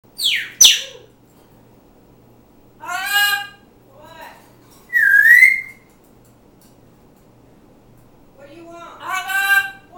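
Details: Pet African grey parrot talking and singing: a sharp high whistle and click, then bursts of speech-like harmonic chatter, a single bright rising whistle near the middle, and a final harsher burst of mimicked talk.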